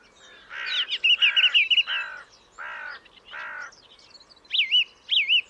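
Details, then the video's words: Song thrush singing: a run of short, rich phrases, each given as a burst of several notes. The first phrases are harsh and warbled; near the end comes a clear, looping whistled motif, repeated twice with short pauses between. "Vogelstimmen: Die Singdrossel - Song thrush - Turdus philomelos"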